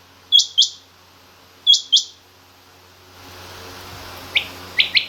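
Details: Female rain quail calling, part of a mixed rain quail and king quail recording. Three quick high double notes, then a rise in hiss before three lower, slurred notes close together at the end.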